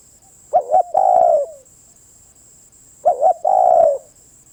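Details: Spotted dove repeating its coo twice about two and a half seconds apart, each a rapid two-note lead-in and a long, gently descending coo; a faint continuous high whine underneath.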